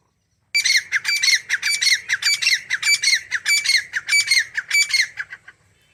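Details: Grey francolin giving a fast run of harsh, ringing squawks, each note sharp with a brief whistled edge, repeated about every half second for five seconds before stopping abruptly.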